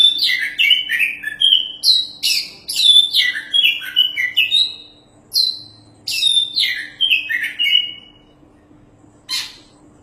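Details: Oriental magpie-robin, a champion singer in full voice, recorded as a tutor song for training other birds: rapid tumbling whistled phrases sliding downward, short pauses, then another long varied run ending in one harsh note; faint constant hum.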